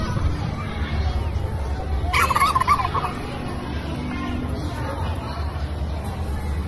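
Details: Brief rattling gobble from a turkey just after two seconds, standing out over continuous low background noise.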